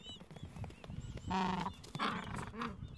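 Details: Gentoo penguins in a breeding colony in the Falkland Islands, adults tending two-to-three-week-old chicks and nests on a mild afternoon; harsh, harmonic braying calls in two bursts, with thin, high chick peeps scattered throughout.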